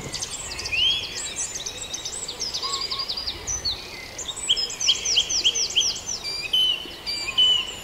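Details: Dawn chorus of many birds at Farndale: overlapping high whistles, trills and chirps, with one clear rising whistle near the start and a run of repeated swooping notes midway.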